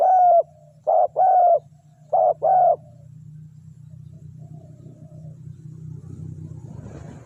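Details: Spotted dove, tekukur, used to lure wild doves, gives a quick series of short cooing notes in the first three seconds, then falls silent under a steady low engine-like hum.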